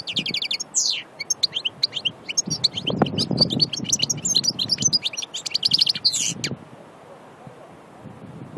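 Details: Annaba goldfinch from Aïn Barbar in Algeria, a pure wild-type bird, delivering a dense, rapid tinkling song of high chirps, buzzy trills and quick slurred notes for about six seconds, then stopping; faint low rumbling noise underneath.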